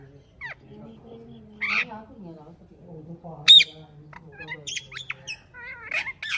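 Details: Talking green parrot kept as a pet mixes low, speech-like chatter with sudden sharp squawks and short chirps, some rising or falling quickly.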